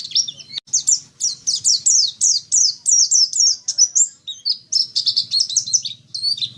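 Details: Dakun-style song from a white-eye: a sharp click, then a steady series of high, down-slurred chirps repeated about three times a second, breaking into quicker jumbled twittering near the end, with a faint low hum.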